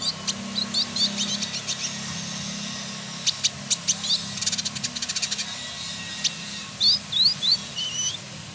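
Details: Male village indigobird from West Java, Indonesia: scattered high chips and clicks, a fast burst of ticking notes midway, then three rising slurred whistles and a looping squeaky note near the end.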